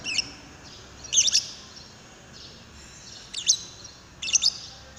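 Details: Lovebird chatter used as a lure to make another lovebird sing: clusters of high, squeaky, fast chirps, one early, a strong burst just after one second, and two more near the end.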